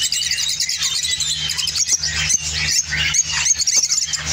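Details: From Spain, an opline orange lovebird sings in rapid, shrill chatter: squeaky notes and buzzy trills run together without pause, some dipping and rising sharply, with a faint steady hum behind.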